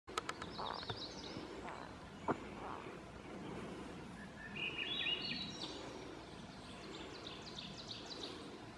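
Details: Swainson's thrush at France Brook Rd., ASP, giving a flute-like phrase that spirals upward in pitch, partly masked by steady background hiss and a few clicks and thumps.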